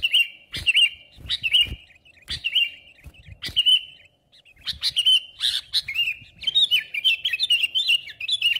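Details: Sooty-headed bulbul (Pycnonotus aurigaster), song: challenging rivals.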